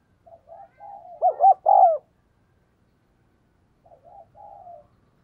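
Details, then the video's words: Luring wild doves, a decoy spotted dove calls in a rapid series: soft introductory coos building into two loud wavering notes, then a quieter trailing coo sequence after a pause. "Chim Cu Mồi Thúc Gáy Gọi Tốc Độ"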